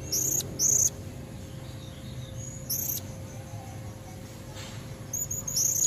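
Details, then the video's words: Female blue-crowned hanging parrot calling to lure red-necked males: a few short, very high, thin chirps in brief bursts separated by quiet gaps, over a faint steady hum. "Suara serindit betina buat pancingan jantan leher merah"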